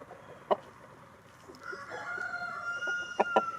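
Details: Rooster in the snow gives a distant, sustained crow that holds and slowly falls, framed by a few loud sharp clucks at the start and end.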